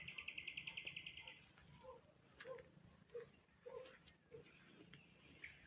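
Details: Common nightingale singing high in willow treetops on village outskirts in Poltava region, Ukraine, on a late-spring evening: fast rattling run of about ten identical high notes, then scattered low rich whistles and sharp notes, over faint insect hum.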